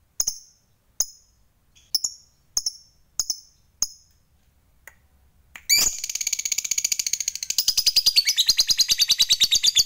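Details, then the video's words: Six or so clipped high chips from a fighter lovebird, then a sudden, sustained, rapid shrill chatter that rolls on for several seconds, the long chatter bred to provoke rivals. "NGEKEK TERUS Memancing EMOSI Lawan, Lovebird Fighter Ngekek Panjang SUPER GACOR"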